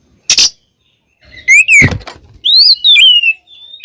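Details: Oriental magpie-robin (kacer) song used as a lure to provoke birds into singing: a loud broadband click, then clear whistled notes sliding downward and upward, separated by brief pauses.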